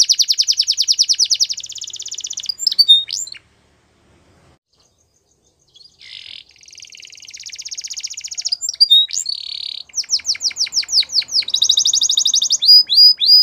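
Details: Canaries singing in a varied song of long rapid trills and rolls, short sharp notes, a buzzy passage, and a pause of silence before the trilling resumes.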